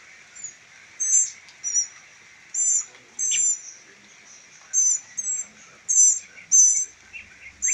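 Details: Three rescued baby northern mockingbirds, being hand-raised for release, beg with thin, high, squeaky notes in short bursts about every half second to a second, voices overlapping against faint background hiss.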